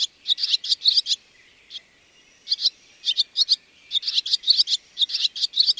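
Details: Barn swallow repeating quick clusters of bright, high chirping notes, three to five per burst, with a brief quiet gap near the middle and a thin background whine.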